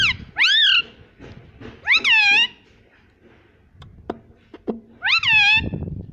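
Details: Pet parrot that talks, said to call "Mummy Mummy": three loud, curved, harmonic syllables near the start, at two seconds and at five seconds, separated by faint clicks and a quiet room.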